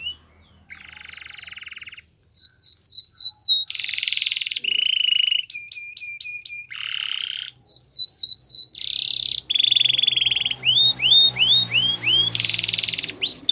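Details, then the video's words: Long canary song in the wild, for training young canaries: alternating tours of buzzy rolls at different pitches, runs of drooping whistled notes, and sharp clipped trills, changing every second or two without pause. "Canary Singing In The Wild"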